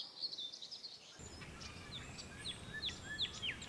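Common redstart giving thin, high whistled notes with short slurred flourishes, repeated every second or so over a steady rural hiss.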